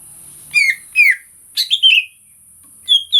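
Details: Greater green leafbird song recorded as bait to stimulate other leafbirds: short, separated downslurred whistles and sharp chips in small groups, over a steady high hiss.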